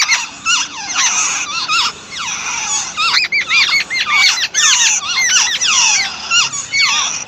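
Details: Nestlings calling as the mother bird feeds them, a busy chorus of shrill squeaks with looping up-and-down sweeps, repeated about twice a second with short gaps between bursts.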